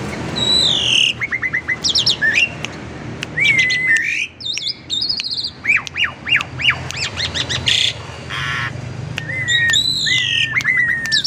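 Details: Asian pied starling from a private collection singing a varied lure song to prompt others: mixed whistled slurs, clicks and rapid upswept notes, a brief pause, then scratchy bursts and clear downward whistles.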